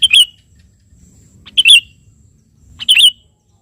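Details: Sooty-headed bulbul, a lively singer calling a rival, gives three short bubbly whistled phrases, each opening with a sharp click and dipping in pitch, about every 1.4 seconds over faint low background rumble.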